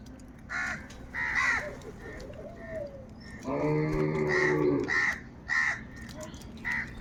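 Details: Large numbers of crows fighting for food give harsh, nasal caws in quick, overlapping bursts, with one long drawn-out caw near the middle and soft dove-like cooing glides in the background.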